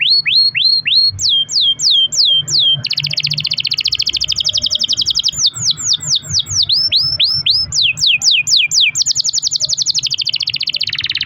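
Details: Pet canary's long rolling song used to coax other canaries: quick falling whistles in groups, then extended fast buzzy trills, repeated twice, with a faint hum underneath.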